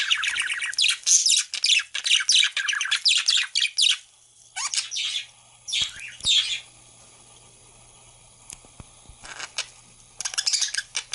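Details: Budgerigars (Melopsittacus undulatus) chatter with rapid, scratchy high chirps and squawks in quick bursts while eating vegetables.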